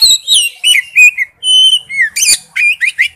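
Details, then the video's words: Male oriental magpie-robin calling to a female: clear whistles, a long steady whistled note, slurred phrases and a few sharp chirps. "tiếng chích chòe than gọi mái/chích chòe than trống kêu"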